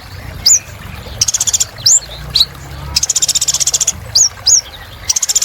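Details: Kolibri ninja sunbird in energetic song used as therapy for birds that stopped singing: repeated sharp upslurred whistles and three bursts of rapid, bright, pulsed trilling.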